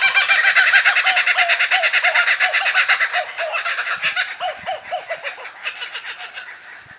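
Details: Young Laughing Kookaburra answering other kookaburras, with a parent joining in; loud, rapid rhythmic chorus of repeated hooting, cackling notes, about three per second, strongest at first and then fading slightly while the laughter continues.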